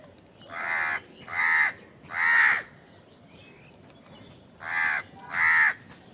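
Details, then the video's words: A crow calling while eating, among crows fighting for food: five harsh, hoarse caws in two bursts, three and then two, with a pause of about two seconds between them. "Crow Bird Eating Scenes and Crowing Sound"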